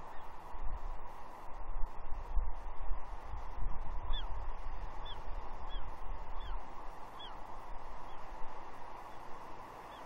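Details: Begging young bald eagle, female, with her father on a gnarly tree at Two Harbors, Catalina, 30 June 2021: a run of high, slurred squees from about the middle onward, spaced roughly a second apart, over a constant rushing background.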